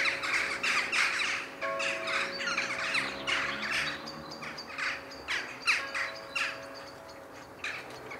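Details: During their daily evening gathering in the sky over Ringenberg, Germany, around the 7 pm church bells, many jackdaws give short, sharp 'tchak' calls in a quick, overlapping chorus, several each second, over a faint steady hum.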